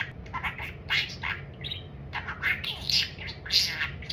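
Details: Pet budgerigar that talks only about food: clusters of harsh, buzzy chatter and sharp high squeaks, pausing briefly between phrases over a quiet electrical hum.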